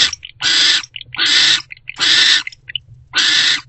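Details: Barn owls, mother and older owlet, in a nest box before dawn on 20 February 2024; loud harsh screeches repeated about every three-quarters of a second, each with short chittering notes between.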